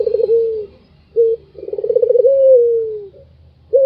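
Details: A white Barbary dove's laughing call, said to stir up other birds, begins with the tail of a trill and a falling coo. A short note follows, then a pulsed rolling laugh that flows into a long, gently sliding coo.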